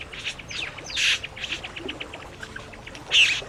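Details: Satin Bowerbird song, a mix of mechanical sounds and imitations of other birds and environmental noises: a run of dry clicks and ticks broken by two loud, harsh, rasping bursts about two seconds apart.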